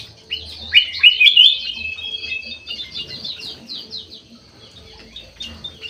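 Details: Ruby-throated bulbul (kutilang emas, white-eyed form) singing in an aviary: a loud, fast burst of clear whistled notes near the start, then fading chirps and high twittering from other birds.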